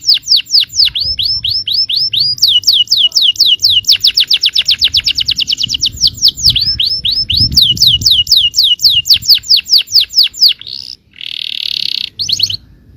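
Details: Yellow canary song meant to provoke other canaries into singing: long fast trills of sharply down-sweeping whistled notes, changing into new repeated tours, with a harsh buzzy burst near the end over a faint low rumble.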